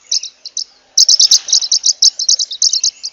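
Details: Zebra waxbill (Amandava subflava) singing a loud, steady series of high, clipped chirps, about eight per second after a brief opening of a few notes.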